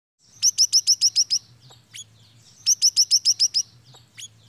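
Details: Siri-siri lure song used as bait to draw other birds: two quick bursts of about seven sharp, high, downslurred chirps, each burst under a second, with a few lone chirps between, over a faint low hum.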